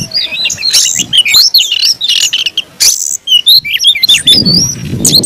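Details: Caged Oriental magpie-robin in aggressive, fighting song mode, pouring out rapid whistled notes and sharp chirps in quick succession with brief harsh buzzy bursts and a short pause, some low background rumble.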